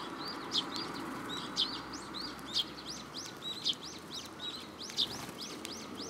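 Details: At a Tenmangu shrine on 7 July 2022, sparrows come for food held in a hand. A steady run of arched, high chirps, a louder note about once a second, with fainter chirping from other birds underneath.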